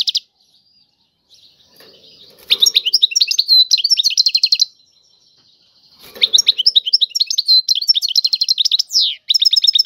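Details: European goldfinch, Algerian style, delivering bursts of quick twittering and tinkling notes with buzzy trills, separated by a quiet pause of over a second, ending on a descending slurred note and fresh rattles.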